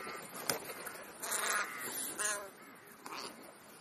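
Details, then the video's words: Crows at a mid-morning meal between breakfast and lunch, with a few loud raspy caws in the middle and a sharp click near the start, over a constant noisy background. "Krähenbrunch /crow`s brunch"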